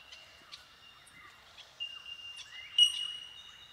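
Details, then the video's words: Several Bell Miners (Manorina melanophrys) in a colony give incessant clear, ringing bell-like 'tink' calls that overlap, with one bright ping standing out near the end, in tall eucalyptus forest in Watagans National Park, NSW, Australia. "The tinkling calls of Bell Miners"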